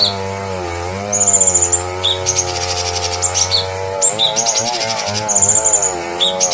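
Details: Bulbul singing on a master recording meant to train cage birds: long high whistled notes alternate with dense rattling trills and clipped chirps, over continuous humming music with a low bass tone.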